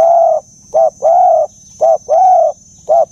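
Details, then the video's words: Spotted dove calling: short hollow coos in uneven groups, a brief note then longer drawn-out ones, about six notes in three seconds, over a faint steady high hiss. "Tiếng Chim Cu"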